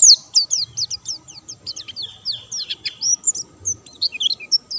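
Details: Energetic white-eye song, bird not doped: opens with a bright loud note, then a rapid series of thin falling chirps that loosen into scattered higher whistles toward the end.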